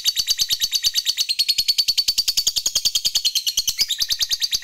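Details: Lovebird of the fighter type in sustained ngekek panjang chatter to goad rivals: a piercing, fast-pulsed rattle, about seven beats per second, steady and unbroken throughout, with a brief pitch shift near the end.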